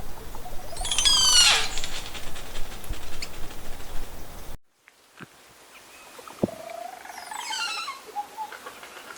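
Crested Oropendola giving a quick burst of liquid, rising notes, then after a break a gurgling phrase that slides steeply downward; steady background hiss throughout.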